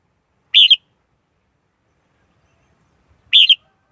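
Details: Red-whiskered bulbul giving a brief slurred double-note call twice, roughly three seconds apart, with nothing else heard.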